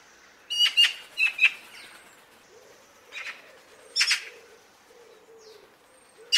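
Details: Eurasian magpie giving harsh, dry chattering bursts: two quick pairs of rasping notes near the start, then scattered single harsh notes over a faint hiss of background noise.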